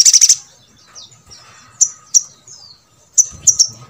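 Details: Sogok ontong, the brown-throated sunbird, calling to stir others of its kind to sing: a quick run of piercing chips, then sparse sharp high notes and faint down-slurred squeaks.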